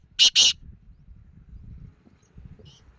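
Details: Black francolin (Francolinus francolinus) giving two loud, harsh, grating call notes in quick succession, then quiet with a low background rumble and a faint high chirp.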